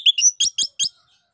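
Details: Orange-headed thrush, known locally as anis kembang, singing to prompt other birds; a quick whistled note followed by four sharp, bright, rapid chirps in under a second.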